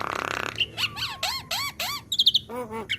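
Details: Young black-winged myna training song: a harsh buzzy rasp, then arched whistled notes repeated in a row, bright squeaky chirps and soft falling whistles.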